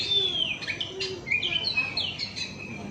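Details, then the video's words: Oriental magpie-robin song played as a lure for other birds: softer, more distant sliding whistles and short chirps over a steady background hiss. "kacer gacor ngemplong"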